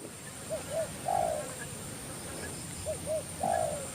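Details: Spotted dove cooing in Thailand as a wild bird comes down to a decoy and starts to fight: two short soft notes then a longer drawn coo, the phrase repeated twice, over steady hissing background.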